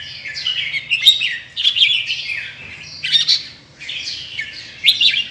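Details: Singing red-whiskered bulbul, Indonesian type with big red ear patch: four rich, warbled bursts about a second apart with sharp high accents, a low hum in the background.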